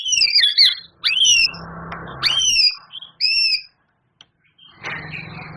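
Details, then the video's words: White-rumped shama in 'gacor' song with 'isian' fill-ins. Loud, clear whistles slur upward and downward in short separate phrases about a second apart, with rustling noise between phrases. "Suara Murai Batu Juara,Tembakan Murai Batu Gacor Full Isian Kasar Panjang Mewah"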